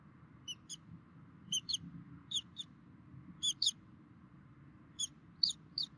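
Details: Bald eagles at a Minnesota DNR webcam nest in 2016, 11:48, both parents feeding; high, thin chirps, mostly in close pairs, come in bursts about a second apart over a steady low hum.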